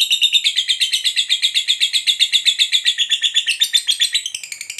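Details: Lovebird's long 'ngekek panjang' chatter, sung to draw answers from other lovebirds: a fast, strident, buzzing rattle of about eight notes a second, fading slightly at the end.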